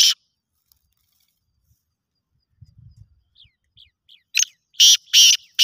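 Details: Kala teetar, the black francolin, calling in a competition: one loud harsh note, a pause with faint low rumbling and a few thin chirps, then a rising run of loud, rasping chakri notes at the end.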